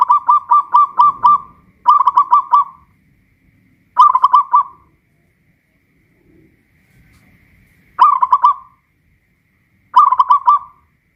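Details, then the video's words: Local Pajajaran zebra dove, caged and hoisted high on a pole in Kuningan, West Java, singing loudly: five rapid staccato cooing phrases, each ending in a short drawn-out note, repeated about every two seconds. "Perkutut lokal pajajaran jawa barat gacor rajin bunyi"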